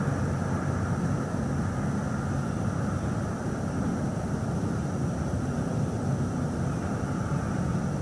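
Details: Continuous roaring noise, like wind or a passing aircraft, covers everything with no animal calls audible.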